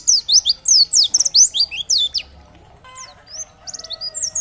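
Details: Oriental white-eye giving dakbal-style song meant to provoke other white-eyes into singing: a dense run of sharp, high, sweeping chirps for two seconds, a short pause, then softer scattered twittering notes and brief trills.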